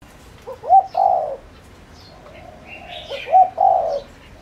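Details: Decoy spotted dove calling to lure wild doves: two low cooing phrases, each a quick double note then a longer rolling coo, about two and a half seconds apart, with faint high chirps of other birds behind.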